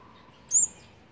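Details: An olive-backed sunbird nestling from a fourth brood, on its 18th day of feeding, 8 March 2020, gives one very high, thin squeak, slightly falling and about a fifth of a second long, as it is fed, over faint hiss.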